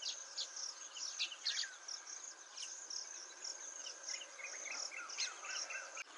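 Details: Baya weaver, a male, recorded by Motisagar pond in Agar Malwa, giving scattered sharp high chips and brief slurred notes in uneven bursts against a constant hissy backdrop.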